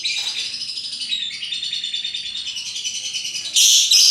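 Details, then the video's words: Lovebird in full ngekek chatter: a rapid, unbroken high trill of tightly packed notes lasting over three seconds, ending in a loud harsh screech. "Burung Lovebird Rupa Rupa Warnanya, Burung Paruh Bengkok, Bunyi Ngekek Gacor"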